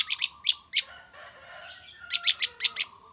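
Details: Long-tailed shrike lure sound for the morning: clusters of high, sharp, clicking notes open and close the clip, with a softer scratchy chatter between them.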